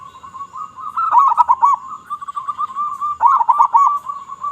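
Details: Local zebra dove from Indonesia singing loudly with a big voice, used as a lure: two rich, bubbling coo bursts about two seconds apart, linked by a steady, softer purring series of notes.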